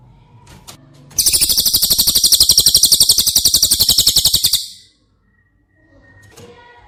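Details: High cililin trill used as training audio for caged White-rumped shamas: sharp notes repeated very quickly and evenly for about three and a half seconds, then silence and a faint later chirp.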